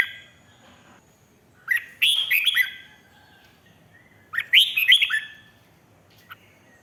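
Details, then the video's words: Red-whiskered bulbul song, played to excite other caged birds in Thailand: two bright, warbling phrases of quick rising and falling notes, about three seconds apart, against a faint low background hum. "เสียงนกกรงหัวจุก ร้อง ริก เปิดให้นกฟัง ยั่วให้นกคึกจัด"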